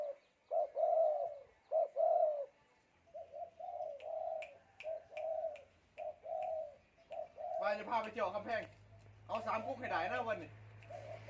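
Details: Wild-caught spotted dove with a prized three-note coo: low, hollow coos repeated in steady groups across the recording, while a man talks over the final few seconds.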